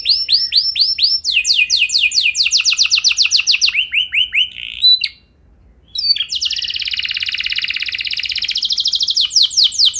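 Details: Canary singing a luxurious lure song meant to set other canaries singing: rolling high trills that shift speed and pitch, a lower run of slurred notes, a brief silence near mid-way, then a very fast, buzzy sustained trill.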